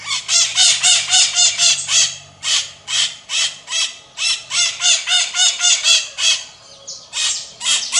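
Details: Maritacas, Brazilian Pionus parrots, repeat strident rasping squawks at a rapid, fairly even pace of nearly four per second, loud and carrying, with a faint low hum beneath.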